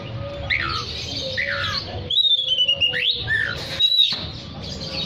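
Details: Oriental magpie-robin in lively song used to call other magpie-robins: varied high whistles and buzzy, slurred notes, some rising and falling sharply, over a steady low tonal hum and background noise.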